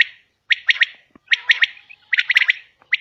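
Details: Female common quail giving quick clusters of three to four sharp, loud notes, spaced under a second apart, in otherwise quiet surroundings.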